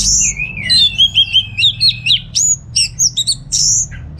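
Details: Singing orange-headed thrush, caged, from Singaraja in North Bali, pours out a quick warbled run of sliding whistles followed by sharp separate chirps roughly every quarter second, over faint low hum.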